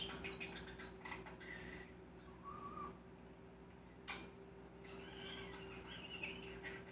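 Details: Mimicking male common starling known for copying kissing noises, laughter, clicking and spoken phrases, giving short level whistles at differing pitches, a sharp click-like burst, then rougher warbled phrases against a constant background hum.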